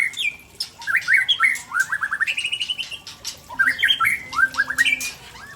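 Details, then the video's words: White-rumped shama of Aceh origin from Tangse, delivering a rich varied song of quick whistled notes, rapid trilled runs and upward sweeps, phrases tumbling one after another. "Murai Aceh SMBF Ori Tangse Sedang Bongkar Isian langka"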